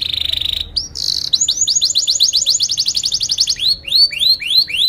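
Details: Atlantic canary lure song for training young canaries: a buzzy high trill, then fast rising chirps about four per second, ending in slower swooping downslurred whistles.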